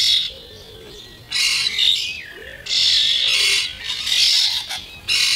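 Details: Juvenile starlings from this year's first generation quarrelling over food, slowed to half speed: a run of loud, harsh, grating screeches separated by short pauses, with soft lower chirring and gurgling notes underneath.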